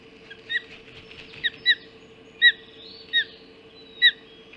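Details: Ospreys at their Hog Island nest at 04.50 on 30 June 2016, during the first breakfast delivery of a mackerel: sharp high chirps repeated roughly every half second to second, over a steady low electrical hum.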